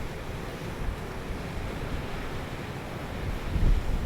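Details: Steady roar of ocean surf and wind buffeting the microphone, swelling louder near the end, with no animal voices.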